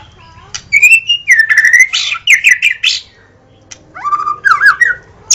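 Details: A White-rumped shama gives clear whistled notes followed by a burst of buzzy, chattering phrases, goes quiet for a moment, then ends with looping whistles.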